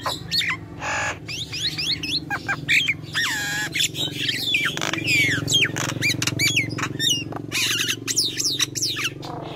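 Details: Dense, vigorous Nias hill myna song: a harsh squawk, then overlapping whistles, slurred rising and falling notes and rapid clicks run almost without pause.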